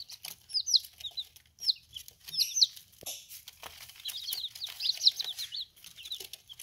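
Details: Young chicks feeding and drinking during their first ten days give scattered high peeps in short bursts, then a quick chattering series, over pecking, tapping and rustling sounds.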